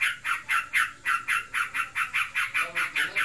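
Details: Kept sooty-headed bulbul said to be in breeding condition, in steady ngebren chatter: evenly spaced, hoarse, buzzy notes at roughly four per second throughout.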